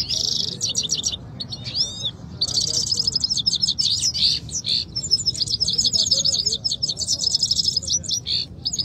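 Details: Singing-competition canaries in Quetta, two birds set against each other. Sustained high trills and rattling, rapidly repeated notes form long, loud song phrases with brief pauses, over a soft low rumble.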